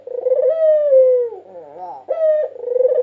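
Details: White barbary dove, a 2022 national champion, recorded as a melodious master song for luring: a long, steady, drawn-out coo, then a softer wavering murmur, then the start of another coo. No other sounds.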